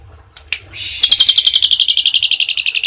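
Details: Asian pied starling singing a tembakan-style song filled with cililin phrases, suited as tutor material for other birds: after a faint note and a sharp chip, a fast, dense pulsed trill starts near the one-second mark and rattles steadily to the end.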